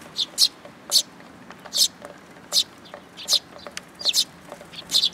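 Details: Several Eurasian tree sparrows coming to be fed at a Tenmangu shrine in Japan on 8 July 2022. Short, bright chirps repeat steadily, roughly a dozen over five seconds, some in quick pairs, over a quiet background.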